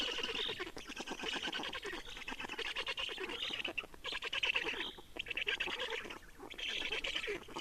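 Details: Estonian black storks changing over and feeding at the nest on 30 May 2019 in the afternoon; harsh buzzy pulsed bursts, each roughly a second long, come in close succession with short pauses between.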